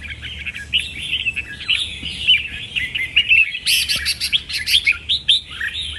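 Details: Caged-sounding red-whiskered bulbul pouring out rapid, lively whistled and chirping phrases, warbling continuously with bright accented notes.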